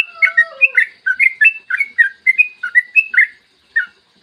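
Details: Yellow-vented bulbul singing a long-rolling lure song: a rush of bright, gurgling, up-and-down notes, with a soft descending whistle under the opening and a brief silence before a final note.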